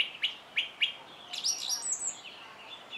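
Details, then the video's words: Song thrush (Turdus philomelos) singing: three sharp, down-slurred notes in quick succession, then a jumble of high, thin twittering phrases. "Énekesrigó - Turdus philomelos - Song Thrush"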